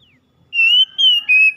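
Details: Oriental magpie-robin song used to spur a stressed, silent bird back into singing; a short sliding note, then four pure sustained whistles in a slow, slightly falling sequence, clean background.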